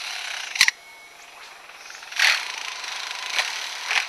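A lyrebird's mimicry: sharp, rasping mechanical bursts, like tool strikes, come every second or so, with a brief thin whistle after the first one.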